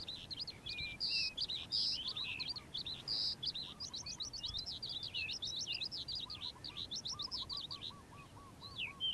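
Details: Calandra lark in morning song: a dense, chattering flow of high, quick notes and jerky whistled phrases. A softer, lower rattling series of repeated notes sounds in the background.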